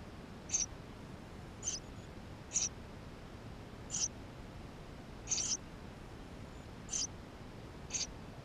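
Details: Eurasian tree sparrow nestlings inside the nest, GoPro camera: eight thin, high-pitched calls roughly one second apart, one of them doubled, over a quiet hissing background.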